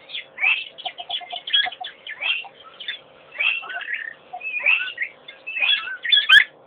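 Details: African pied wagtail at a pond, picked up by a wildlife webcam: a busy run of sharp chirped notes and short whistled slurs in bursts about every second, over a faint steady hum.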